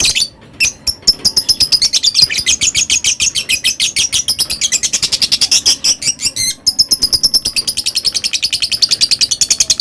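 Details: Long ngekek chatter from a lovebird: a continuous rapid burst of shrill, grating high notes, briefly interrupted twice, then resuming at the same fast even pace for nearly ten seconds.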